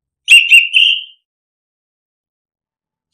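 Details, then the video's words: Orange-headed thrush lure phrase for birds that will not sing: one smooth, slightly wavering whistle under a second long, followed by silence and a faint click at the end. "Pancingan anis kembang biar ngeplong, solusi burung malas bunyi"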